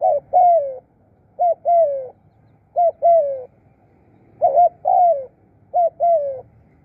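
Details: Spotted dove used as a decoy for luring wild doves in Thailand, giving deep two-part coos: a short hooked note, then a longer falling coo, repeated in pairs about every 1.4 seconds.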